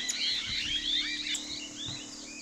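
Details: Rufous sibia (Heterophasia capistrata, called black-capped sibia) on a wild pear tree giving busy, overlapping whistled and chattering notes, rising and falling quickly, over a low steady hum.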